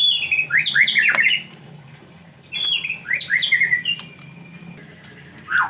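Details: A white-rumped shama sings during the rainy season while bathing is difficult, delivering two similar phrases of quick zigzag whistles with clicks, separated by a quiet pause, ending with a brief low note.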